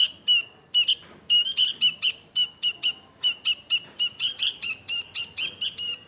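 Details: Sooty-headed bulbul: after a few scattered notes, the song becomes a steady, fast series of sharp chirping syllables, about two per second, with a ringing upper tone.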